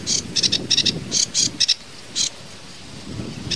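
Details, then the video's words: Kerakbasi alis hitam, or sedge warbler, giving tembakan variasi song: a handful of quick buzzy chattering notes in pairs and triplets, then a pause and a few isolated chips. "kicau tembakan variasi sedge warbler"kerakbasi alis hitam""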